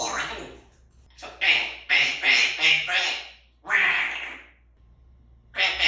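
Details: Three-year-old pet African grey parrot, a talking parrot raised as a human, indoors in a small room: a run of harsh, raspy, speech-like bursts, several close together mid-clip, then a pause and another burst.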